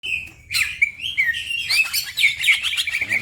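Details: Green leafbird (cucak ijo) in fast, lively gacor song used as masteran training material, with other birds also singing. After a steady high whistle, a loud run of slurred whistles and chirps rises and falls without pause.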